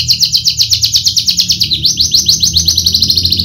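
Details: A Javan Horsfield's bushlark (javanica), kept for bird-singing contests, delivers a steady rapid trill of sharp high chirps, each note slightly upslurred, with a brief dip midway before the run resumes.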